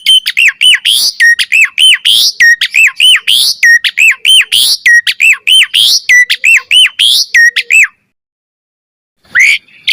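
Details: Energetic Asian pied starling song for training: the same bright hooked squawking note repeated rapidly for about eight seconds, a brief pause, then one more note.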